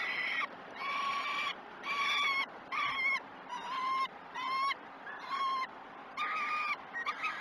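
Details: Peregrine falcon at a nest-cam site at Great Spirit Bluff during a breakfast feeding on 21 June 2018, at 09:07: harsh, nasal, harmonic wailing calls given in a steady series, about eight in seven seconds, each roughly half a second long.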